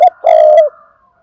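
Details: Single loud spotted dove coo, used as a lure to set other doves calling: a brief low hoot, then a strong, rich, sustained coo of about half a second that fades away.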